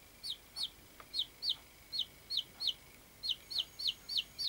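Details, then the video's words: Baby chicks kept indoors for study, giving loud, clear peeps: sharp downward-sliding chirps repeated about three times a second with a short gap near the middle, over faint background hiss. "baby chicks"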